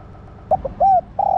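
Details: Female spotted dove calling to rouse the male. Two clipped notes, a smooth arched coo, then a long burry coo cut off at the end. Faint background hum.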